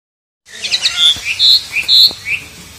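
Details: Asian pied starling singing loudly while being bathed, a caged bird; a burst of whistled and chattering phrases, some slurred rising notes and harsh squeaks, in quick loud segments over about two seconds.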